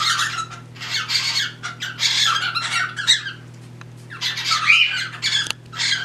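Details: Pet cockatiels indoors, a pair mating while a third bird tries to join; harsh, broadband squawks repeated in bursts of about half a second with short gaps, over a steady low electrical hum.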